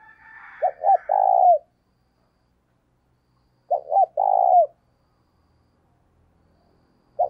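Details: Spotted dove decoy bird cooing vigorously to stimulate other doves to coo; two low cooing phrases, each a couple of short clipped notes then a long drawn coo falling at the end, about three seconds apart, quiet background.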